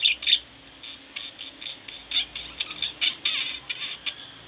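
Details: Two pet budgerigars chattering indoors, a pair of loud chirps opening, then a run of softer bright twittering notes at an uneven pace.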